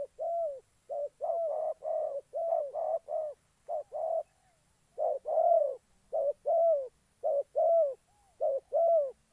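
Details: Decoy spotted dove from Gia Lai used in trapping, giving steady low cooing in short runs of two or three notes with brief gaps, continuing for over nine seconds against a quiet backdrop.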